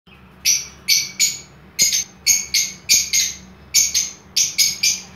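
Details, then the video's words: Lovebirds in an aviary holding albino, blue, violet and lutino colour varieties, giving short harsh high chirps in bursts, about a dozen calls spaced irregularly over five seconds, with a faint low hum behind. "Love birds aviary"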